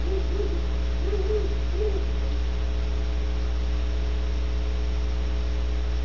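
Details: Great horned owls recorded at Audubon Starr Ranch in California give three or four low, rounded hoots in the first two seconds, then only a constant mains hum remains.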